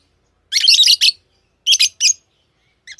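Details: Tame pet lovebirds give loud, harsh, chattering chirp bursts: one long rasping burst, then two short paired ones, and a brief squeak at the end.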